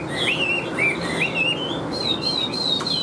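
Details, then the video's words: Caged Chinese hwamei, large-bodied with a yellow bill and legs, singing looping whistled phrases that dip and rise, followed by long high sustained whistles with a faint click. "Chim Họa Mi Hót Vẩy Đuôi Khướu"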